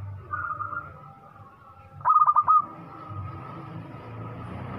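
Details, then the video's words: Local zebra dove, singing readily with a large voice, gives one rapid, pulsing phrase of five coo notes midway, with soft background murmur and low hum around it. "PERKUTUT LOKAL GACOR SUARA BESAR"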